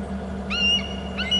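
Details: Eagle on Hornby Island nest and territory camera, calling after circling back to a short branch: a thin, high whistled note that rises then holds, followed by a brief second squeal, over steady low electrical hum.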